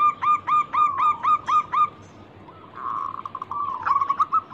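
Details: Local zebra dove (perkutut) used to lure other birds into song: seven evenly spaced clipped coos in quick succession, a pause, then a rolling, trilled cooing phrase.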